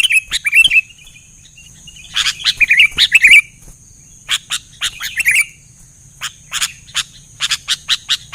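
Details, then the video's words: Vigorous sooty-headed bulbul song met by replies from other bulbuls: brief bubbling warbles at the start and middle, surrounded by rapid runs of sharp, clicking chirps. "Suara BURUNG KUTILANG GACOR !! langsung di Respon Cepat Semua Burung Kutilang"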